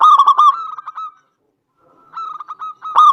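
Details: Local zebra dove singing as a lure to provoke other doves to sing: rapid beaded coo notes fading into a short silence, then another rolling phrase rising into a loud, harsh burst.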